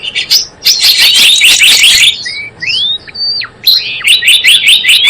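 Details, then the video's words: Java sparrow calls used to lure birds for trapping and as a master recording. A dense chatter of sharp chirps gives way to a few long sliding whistles, one rising and one dropping steeply, then quick repeated chirps resume. "SUARA PIKAT BURUNG GELATIK BLOONG .. mp3 pikat dan masteran"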